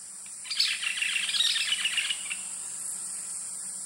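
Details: Yellow-billed Nunbirds singing in the canopy at Sani Lodge on the Rio Napo, Ecuador: a brief, rapid burst of chattering, bubbly notes lasting under two seconds, over a steady high insect drone and a low hum.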